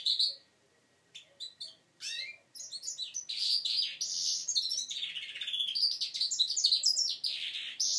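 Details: Five-month-old goldfinch mule learning to sing, indoors. Fast twittering song of high chirps and warbled phrases, starting with a few separate notes and then running almost continuously, with a quick, irregular rhythm.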